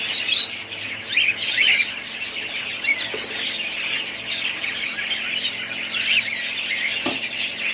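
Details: Several budgerigars of one family warbling at once; busy high chirruping and scratchy squawks run throughout, with one short low knock near the end.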